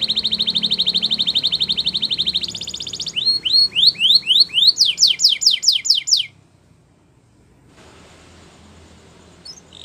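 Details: Belgian canary singing in the morning, starting with a rapid buzzing trill, then a run of rising upward-flicked notes and sharper falling whistles before a pause with faint background hiss.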